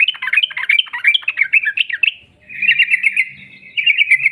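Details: Sooty-headed bulbul in busy, lively song of the long rolling style, used as a lure to make other birds sing: a two-second jumble of rapid bubbly chattering notes, a brief pause, then a fast, even rattling trill of repeated notes over a faint low hum.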